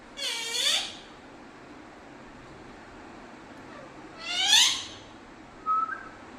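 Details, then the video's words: Pet parrot in Kerala, India, talking in Malayalam: two harsh, strongly harmonic vocal bursts with rising and falling sweeps, half a second each and four seconds apart, then a brief clear whistled note in a quiet indoor room. "parrot Talking"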